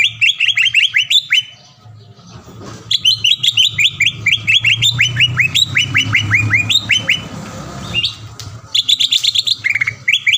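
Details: Lure song of a green leafbird meant to trigger rival birds to sing and grow excited: long runs of loud, falling whistled notes delivered quickly, with a low rumbling hum beneath and short pauses between bursts.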